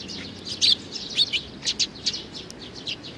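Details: Young sparrow giving a run of short, high, sharp chirps, about two per second, with louder bursts spaced irregularly over a faint low background hum.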